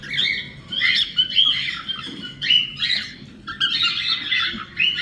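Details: A cockatiel in an aviary gives a run of chattering, warbled whistles, bright and scratchy, in a courtship song or mating call.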